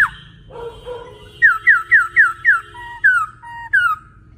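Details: Male laughingthrush in eager song. Low warbled notes lead into a rapid run of five falling whistles, then alternating high slurs and lower flat notes, over a soft low hum.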